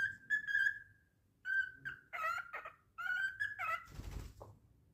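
A cockatiel gives clear whistled notes, some steady and some wavering, in short phrases.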